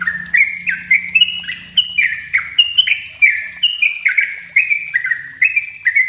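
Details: Non-stop bubbling song of a yellow-vented bulbul, delivered in the dense 'ropel rapat' style as a lure and a tutor for untrained birds; quick, liquid whistled phrases rising and falling without pause, with a soft low background hum.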